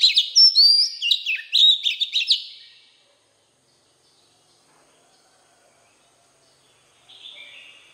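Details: Oriental magpie-robin singing in a wild forest-style voice: a rich burst of sweet whistles, slurred rising and falling notes and quick chips lasting over two seconds, then near silence and a faint, brief phrase near the end.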